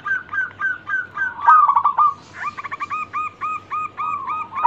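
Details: Zebra dove of local stock singing to lure other birds into song: a steady run of short hooked cooing notes repeated about twice a second, then a dense pulsed burst, then more evenly spaced notes.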